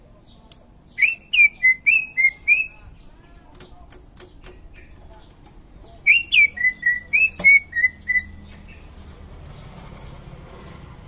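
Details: Indonesian greater green leafbird, described as a champion, delivers two phrases of rapid whistled notes with buzzy starts, several seconds apart, each phrase about six notes falling slightly in pitch.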